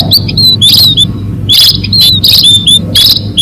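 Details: Munia lure call for catching birds: clusters of thin, high, slurred whistled chirps repeat in bursts roughly every half second, with harsher noisy notes mixed in and a steady low hum underneath.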